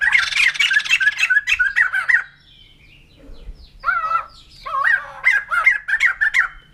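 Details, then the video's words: Rapid, buzzy cackling from a white-crested laughingthrush, or poksay jambul putih, breaks off into near silence, then returns as wavering, hoarse notes repeated about three times a second. "Poksay Jambul Putih || Burung Tertawa"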